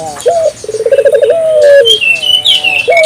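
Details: African collared dove giving one rolling, stuttered coo that runs into a long, level, drawn-out note, meant to stimulate other doves to call; bright high chirps and whistles of small birds overlap it.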